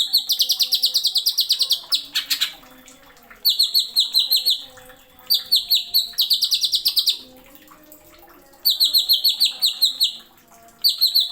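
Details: Greater green leafbird in a tutor recording, singing in the nembak style with sharp fill notes: rapid bursts of high, clipped, ringing notes repeated in quick runs, separated by short pauses, with one brief rushing noise burst.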